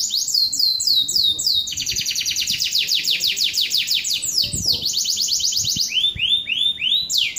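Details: A canary delivers fast cascades of high, sharply falling notes in rolling trills, with rounded, arching phrases toward the end. Faint low background noise is heard throughout.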